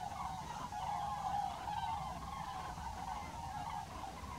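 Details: Common cranes gathered around a temporary pond at Aldeaseca, Ávila, in December 2023, producing a dense, continuous chorus of mid-pitched rolling calls from many birds, blended into a steady wash with a low background rumble.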